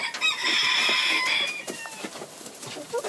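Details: Pekin bantam cockerel giving a drawn-out, harmonic crow lasting about a second and a half, then quieter scattered clucks.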